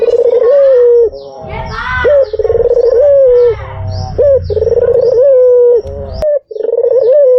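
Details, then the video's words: Repeated purring coos from a white dove, recorded as a lure. Each note rolls quickly, then holds a low, steady hum ending in a small upward flick, with low background rumble and a sharp click near the end. "SUARA BURUNG PUTER PUTIH || PANCINGAN PALING AMPUH || SUARA BURUNG PUTER MERDU"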